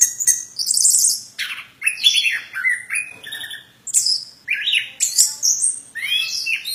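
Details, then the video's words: Plontang bird singing energetically, mixing thin high trills, downslurred whistles and buzzy notes into a varied, fast-changing phrase that pauses briefly between bursts. "Burung Plontang suara mantab"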